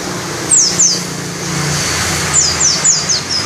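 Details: White-eye (pleci), described as trilling long with open beak: a few thin, high, down-slurred whistled notes, two early then a quick cluster near the end, over steady low background hum.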